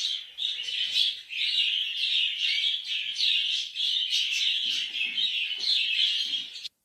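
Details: A pair of yellow cockatiels chirps steadily in a bright, high run of short, warbling notes with barely a pause.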